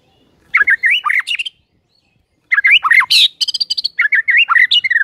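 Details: White-rumped shama in lively song, a morning lure meant to set other birds singing: rapid sequences of looping whistled notes, a sharp buzzy burst midway, then quick repeated chips and descending whistles.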